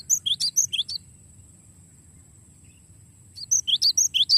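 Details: Glatik batu, the cinereous tit, in long rolling song: a burst of rapid high piercing paired notes, a pause of over two seconds, then the fast repeated phrase returns; a faint constant high whine underneath.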